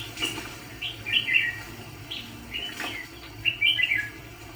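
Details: ['Decoy red-whiskered bulbul for trapping fighting birds delivers bursts of bright, bubbling warbled phrases between short gaps, with a few soft clicks.']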